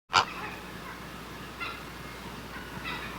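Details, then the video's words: Great blue heron screaming at the nest: one loud, harsh, rasping squawk at the start, followed by two fainter, grating calls about a second apart over steady low background hiss. "Gran garza azul grita en el nido"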